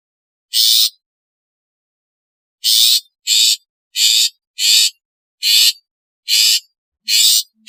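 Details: Long-tailed shrike in a recording of its natural, calling, alarm and lure sounds. A single rasping note, then after a two-second gap a steady series of seven harsh buzzy bursts spaced under a second apart. No other sounds.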